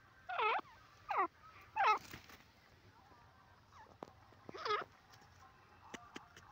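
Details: Dakhni teetar, a francolin, giving four loud, looping, nasal calls spaced about a second apart, with a short pause before the last; faint clicks and a quiet voice follow in a still background.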